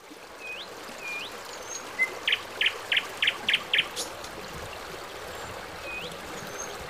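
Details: Morning birdsong in Dachhan: a run of six sharp, high, evenly spaced notes, roughly three a second, amid thin rising whistles from other birds, over a constant hiss like rushing water.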